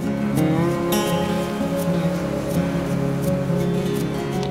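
Steady music with sliding tones over engine-like rumble, and no animal call anywhere.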